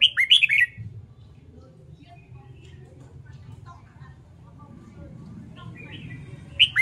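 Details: Red-whiskered bulbul, training for fighting-style singing: a lively burst of bright warbled notes opens the recording, a long hum-filled pause follows, then a softer phrase begins at the very end.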